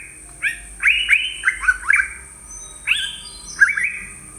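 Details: Yellow-browed Bulbul in Sri Lanka giving short, slurred whistled notes, mostly rising then falling, in loose bursts of three or four, over a steady high insect hiss.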